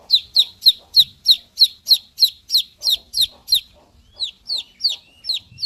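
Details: Chicken chicks cheeping in a fast, regular series of high, falling peeps, roughly three per second, softening and thinning near the end, with faint low background rustling.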